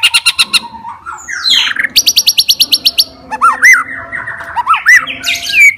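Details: White-rumped shama, a fighter type said to provoke rival shamas, delivers a mixed song: fast ticking trill, a buzzy rattling burst, then looping arched whistles near the end over a faint background hum.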